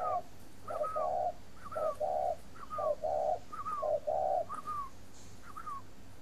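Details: Cage-kept spotted dove from a breeding farm near Hanoi, Vietnam. It repeats its mellow low coo, a quick double note then a long one, about every second. Each phrase is preceded by a thin, higher, slurred note.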